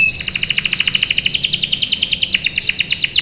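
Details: Canary lure song, a female in breeding condition calling the male: a continuous fast roll of short high notes, around eight per second, steady throughout, with faint low hum.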